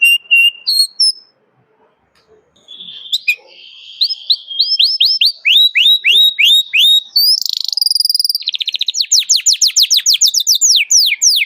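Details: Canary singing vigorously with 'cuit cuit' chirps, calling a rival and used as a lure for young canaries learning to sing: a short whistle, a pause, then rapid rising sweeps and fast high buzzy trills.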